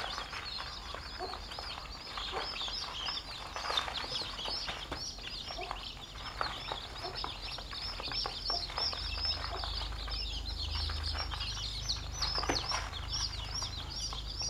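A flock of chicks peeps continuously in high, thin, rapidly repeated notes.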